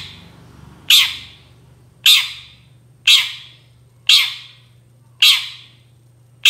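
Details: Long-tailed shrike repeating loud, rasping screeches about once a second, six in a row, a sound used to prompt other shrikes to answer, over a faint low hum.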